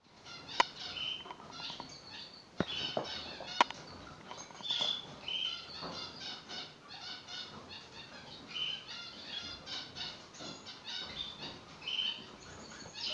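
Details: Newly arrived captive painted finches (Emblema pictum), recorded 19 May 2020, give a busy stream of short, high chirps and buzzy notes, with a few sharp clicks and knocks in the background.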